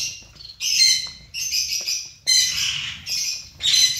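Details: Colony of zebra finches: loud bursts of overlapping harmonic nasal calls, each about half a second long, separated by brief quieter gaps.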